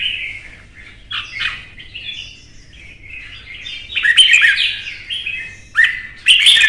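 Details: A kept red-whiskered bulbul in Vietnam sings in a provoked singing duel. Softer twittering phrases build into loud, sharp bursts of whistled warbling near the end.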